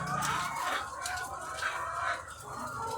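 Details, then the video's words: Egg-laying hens by the thousands on a farm, their mixed clucks and squawks blending into a hazy, noisy chorus with a harsh background hiss. "The Sound of Thousands of Egg-Laying Chickens"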